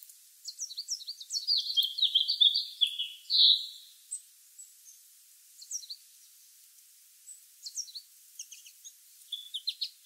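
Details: A red male house finch (Haemorhous mexicanus) sings under a blue sky: a fast, high warbled jumble of notes for about four seconds, then scattered short chirps over faint background noise.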